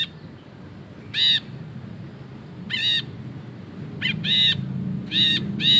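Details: Ashy bulbul giving drawn-out ngekek chatter, recorded as tutor material: harsh, buzzy notes, some longer and banded, in irregular bursts that thicken toward the end, over a low rumbling background.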